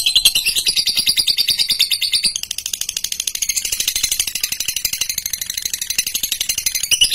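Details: Long rattling trill from a female lutino fighter lovebird: dense rapid clicking with high squeaky overtones, briefly softening midway before resuming in the same fast, continuous ticking rhythm.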